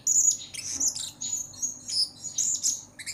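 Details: Blue-crowned hanging parrot calling actively as a lure sound: rapid, continuous bursts of thin, very high shrill chirps, closely packed and varied in loudness, with a faint low hum.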